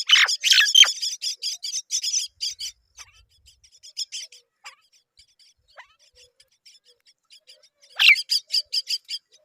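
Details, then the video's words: Baby mynas calling while both parent birds come to feed them: bursts of rapid, high, raspy chirps at the start, a quieter stretch of scattered soft notes, then another loud chirping flurry near the end. "Both Myna birds came to feed their babies"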